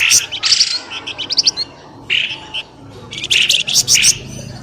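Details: Noisy 'pelamboyan' bird lure calls used to pull birds out of thick bushes. Brief clusters of sharp, high, scratchy chirps arrive in bursts, separated by short quiet gaps.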